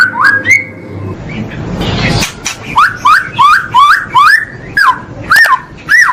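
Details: White-rumped shama (murai batu) song used for training caged birds: a hissing burst, then a series of clear upslurred whistles repeated about twice per second.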